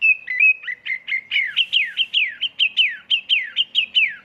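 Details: Oriental magpie-robin singing as a lure in full 'isian' 'tembakan' style: steady whistles lead into a rapid, regular series of about fifteen loud downward-slurred notes, roughly four per second.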